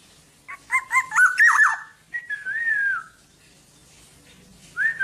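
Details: Tame black-naped oriole kept without a cage, singing actively: a burst of quick fluty, slurred whistles with rising and falling notes, then a longer drawn-out whistle sliding down, and a short whistle at the end.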